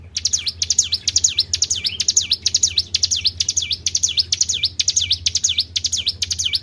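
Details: Lure recording of a Tribel bird, a run of bright swooping whistles, each falling then rising in a V, paired with quick clicking ticks, repeating about twice a second with a soft low hum beneath.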